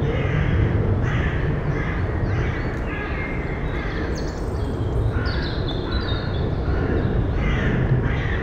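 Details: At a nest box in early May, a female Eurasian eagle-owl and her nestlings: rough, breathy rasps come in quick uneven series of about three per second, set against constant low background noise and thin chirps of other birds.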